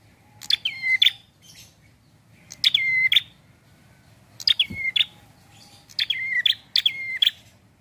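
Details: Relaxed prinia song used as a lure for trapping: five phrases about a second and a half apart, each with a sharp high onset, a falling whistle and a closing chip, over soft background noise.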